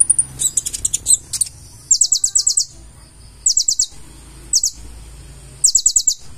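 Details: Purple-throated sunbird, locally konin, in gacor full isian song: bursts of five or six very high, sharp descending notes in rapid series, separated by short pauses.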